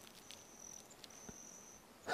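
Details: A Broad-tailed Hummingbird zips past while its wings give a thin, high, steady metallic whine for over a second, then a soft click and a closing rustle. Recorded while camping in Idaho's South Hills, Cassia County.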